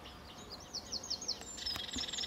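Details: Short snatch of sedge warbler song, RSPB Fowlmere, early morning in July 2013 sunshine: a run of rising slurred sweeps followed by a dry buzzy rattle, slightly faint against background noise.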